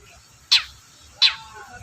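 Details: Long-tailed shrike lure sound: two loud, grating, downward-sweeping notes under a second apart, with soft low background murmur.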